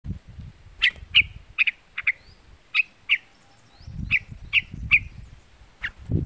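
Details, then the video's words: Young yellow-vented bulbul (trucukan) calling, used as a lure to excite other trucuk birds into singing; short bright chirps, single or paired, spaced about half a second apart, over intermittent low rumbling background noise. "Suara Panggilan trucukan muda"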